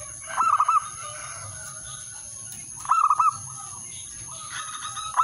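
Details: Male zebra dove calling a rival, a call used to lure other birds: three short rolling coo phrases about every two and a half seconds over a steady thin electronic whine.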